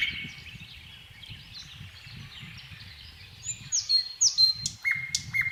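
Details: Thrush nightingale song starts soft and distant over a low rumbling background, then loud clear whistles, some rising and some falling, ring out in the final seconds.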